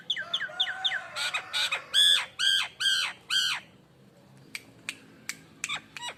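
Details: Nias hill myna giving a lure song: a run of short whistled slurs, then three long nasal, harsh squawks, followed by sparse sharp clicks and thin notes.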